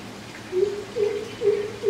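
Greater coucal giving deep, hollow hoots, about two per second, each note low and slightly rising, over a quiet background.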